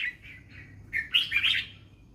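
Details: Red-whiskered bulbul in the fancy 'mae bot lak wai' song style: a few soft, wavering whistles, then a loud, jumbled, chattering warble near the end.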